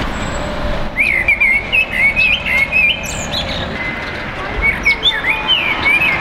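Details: Common blackbird with other neighbourhood birds in a tree beside a house, giving quick, slurred warbling notes rising and falling in short bursts, over loud traffic rumble from below.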